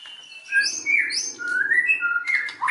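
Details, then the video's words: White-rumped shama lure song to stir other shamas into singing: varied whistled slurs, some dropping and some rising, with sharp high notes, over a faint low background hum. "SUARA BURUNG MURAI BATU, PANCINGAN MURAI BATU BANGKITKAN EMOSI, AGAR BONGKAR MATERI"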